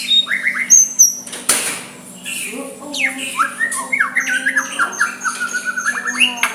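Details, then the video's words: Soft song of a white-rumped shama used to goad a rival into replying; varied whistled slurs and rapid chattering phrases, interrupted early by a loud broadband burst, over a constant low hum. "Murai batu suara lembut cocok untuk MEMEKAT lawan ikut emosi dan saling balas"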